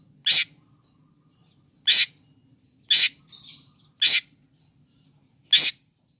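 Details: Long-tailed shrike song aimed at provoking other shrikes: single loud harsh rasping notes repeated every one to two seconds, with a soft chatter between and low hum behind.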